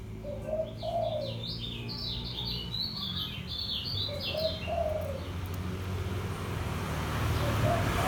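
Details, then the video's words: Lombok yellow white-eye, kept caged, delivers a steady ngejos song of quick, high, sliding chip notes in bursts, while a dove coos softly and low beneath. "SUARA KECIAL KUNING LOMBOK NGEJOS SELOW"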